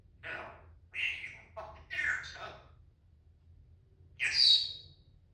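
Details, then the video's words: Happy pet Timneh African grey parrot giving a series of short, harsh, nasal squawks about once a second, then a louder squawk ending in a clear high whistle, over a low steady hum. "the happy african grey timnah parrot"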